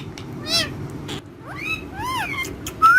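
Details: Parrot playing and vocalizing alongside other parrots, said to speak Urdu/Hindi; arched, wavering squawk-like notes and a harsh burst, ending on a bright rising whistle.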